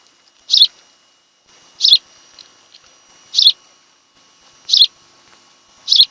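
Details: Osprey at the Kent Island, Maryland nest, on camera on 26 July 2018 in the afternoon; five sharp, high whistled chirps at irregular intervals of about one to one and a half seconds, with a faint hum.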